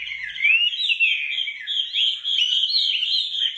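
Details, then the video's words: Wambi gacor master song in the 'tembakan rapat' style for training songbirds: loud, sweet whistling that weaves up and down in quick connected phrases without pause, clear and strong throughout. "Tembakan rapat wambi gacor"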